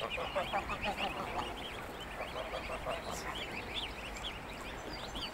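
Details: Greylag geese with goslings in family groups, a natural recording: dense chorus of rapid, arching, chirping calls overlapping several times a second, rising and falling, with steady background rumble.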